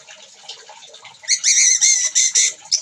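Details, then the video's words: Orange-headed thrush singing energetically at its bathing place. Harsh, rasping notes come in a quick series of about five bursts after a quieter, muffled start. "anis merah gacor di tempat mandi"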